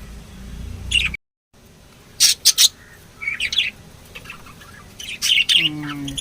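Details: Lovebirds chirping in short bursts: sharp high squeaky notes in clusters, with a quiet gap early and a low descending stepped sound near the end.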